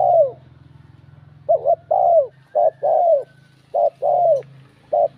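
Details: Spotted dove cooing in bell-voice style to provoke rival males, four rapid mellow phrases, each a brief wavering note followed by a longer falling coo, repeated about once a second over a low humming background.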